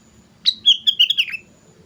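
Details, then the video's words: Sooty-headed bulbul giving a lure song: one short bubbly phrase of about six liquid notes, opening with a sharp rising note and then slurring downward in quick, slightly descending chirps, over quiet low background hum. "pancingan suara burung kutilang gacor"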